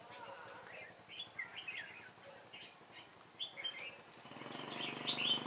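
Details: Red-whiskered bulbul used as a trapping decoy, 26 September 2017. It sings a series of short, sweet whistled phrases. In the last second a rising engine-like rumble takes over.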